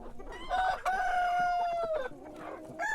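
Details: Morning crow of a rooster, a long drawn-out harmonic cry of just over a second that holds steady then drops, with a short rising note before it and soft clucks and another crow starting at the end.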